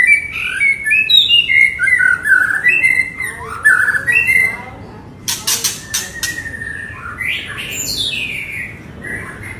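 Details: White-rumped shama in emotional, continuous song meant to rile other birds: a string of short, bright whistled phrases stepping down and up, followed by dry clicks and a few rising, sweeping whistles.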